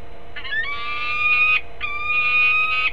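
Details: Peregrine falcon at a nest in Harrisburg, Pennsylvania, on 20 December 2020, giving two drawn-out, steady, nasal wailing calls of about one second each, separated by a short pause, against a faint low hum.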